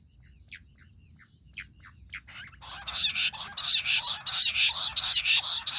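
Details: Jungle bush quail calls, a hunting lure: a few faint, spaced notes, then a loud, continuous chorus of quick, repeated shrill chattering notes that lasts to the end.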